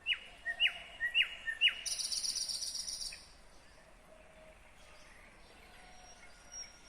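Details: Nightingale in song, Kyrgyzstan, 2020. Three loud, downslurred notes are followed by a dense, high, buzzing trill lasting about a second, then quiet outdoor ambience.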